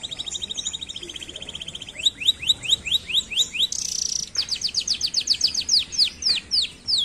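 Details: Canary song moving from a fast buzzy roll into repeated rising whistles, a brief high trill, then another quick series of sharp descending notes.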